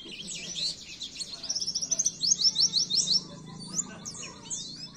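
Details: Oriental white-eye song on a masteran track for caged birds: high twitters, then a run of about nine clear, evenly spaced chirps in quick succession, followed by scattered slurred notes.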